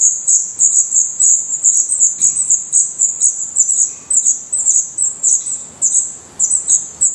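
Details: High-pitched, insistent chirping from Black redstart nestlings in their nest in Portugal, eyes already open and feathers coming in, with short thin notes following one another in rapid, uneven series.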